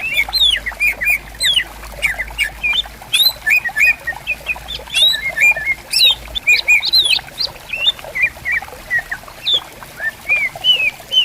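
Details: Several greater green leafbirds in riverside bamboo forest calling back and forth: a dense stream of varied whistled phrases, looping slurs and high flicks, with the soft patter of flowing water throughout.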